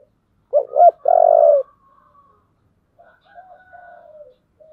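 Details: Spotted dove singing in the 'giọng thổ' style: two quick, clipped rising notes, then a long, steady, low coo, followed by softer, drawn-out trailing coos. Quiet background.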